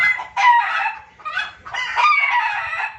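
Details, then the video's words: Junglefowl trapping-lure sound. Two loud, hoarse squawking bouts are split by a short pause, with brief whistled slides inside the harsh notes. "suara pikat dan masteran ayam hutan ribut paling ampuh"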